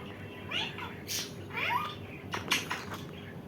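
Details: Indian ringneck parakeet voicing quick, nasal, wavering calls and a couple of sharp harsh notes within a few seconds, over a low hum.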